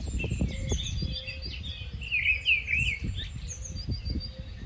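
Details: Rufous-tailed scrub robin, a migratory bird called a dancing bird, singing varied whistled phrases that rise and fall in quick runs, mixed with high thin chirps from other birds and a low rumbling background.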